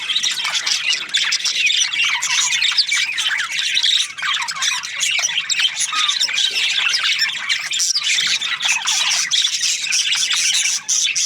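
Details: Budgerigars chirping: a dense, continuous chatter of many overlapping high squawks and warbled chirps with no pauses, busy and flock-like throughout.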